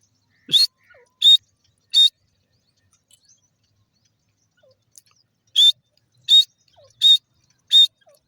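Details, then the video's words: Fighting grey francolin gives loud, shrill single notes in two runs, three, then a pause of several seconds, then four more, each evenly spaced about two-thirds of a second apart. "dakhni teetar ki ladai,grey francolin bird,titar ki awaj"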